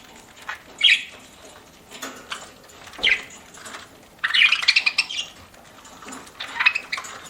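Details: Budgerigar, a pet, chirping while eating: scattered single tweets, then a rapid run of chattering chirps, with light crunching noise between calls.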